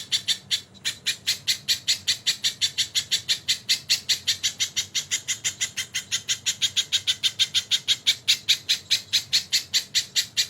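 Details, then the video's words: Crested jay, kingfisher-filled tutor track: after a brief gap near the start, dense, rapid, scratchy notes run on without a break, steady and high-pitched. "BURUNG MASTERAN SOGON ISIAN TENGKEK GACOR DOR"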